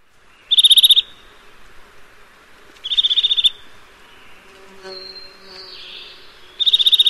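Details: Repeated rapid trills of high, ringing piping notes from a Eurasian nuthatch, three bursts roughly two to four seconds apart, with faint other chirps and a soft hum between them.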